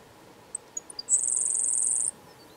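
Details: A grasshopper sparrow (Ammodramus savannarum) in grassland near Lyleton, southwest Manitoba, on 4 July 2020, gives four thin, high ticks, then a dry, insect-like buzz lasting about a second, over a quiet background.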